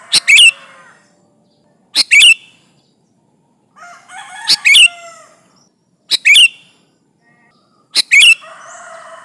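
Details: Lure recording of an active sooty-headed bulbul calling rivals: five bright, clipped bursts of quick chirps arrive roughly every two seconds, while softer bubbling and whistled phrases from other birds fill the pauses.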